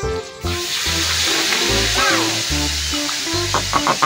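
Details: Steady sizzling, frying-like hiss over a background of simple stepped musical tones, with no animal voice standing out.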